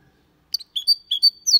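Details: Brief snatch of clean Malaga-style song from a goldfinch × canary hybrid: four or five high, clear chirped notes in quick succession.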